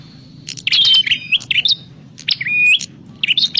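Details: A prinia gives calls used to lure birds for trapping: sharp chirps and two clear, flat whistled notes in short bursts, separated by quiet gaps.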